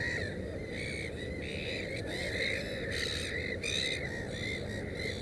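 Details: A series of drawn-out, raspy, rising-and-falling calls comes from a black-headed gull beside its nest of three chicks, running almost continuously over a hissing background.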